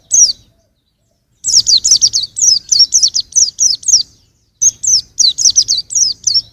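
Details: Young white-eye delivering long runs of rapid, thin, sweeping chirps, roughly a dozen notes per phrase, interrupted by one silent break; faint low hum beneath.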